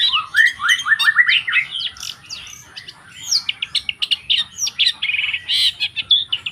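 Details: Long-tailed shrike, apparently in the wild, singing a fast, jumbled medley of chirps, rising whistled slurs and harsh squawky notes. Phrases pour out in quick bursts with brief pauses, over a faint low hum.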